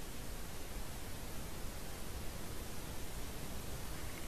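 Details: Steady, even hiss of broadband static with a low rumble underneath and no calls or other distinct sounds.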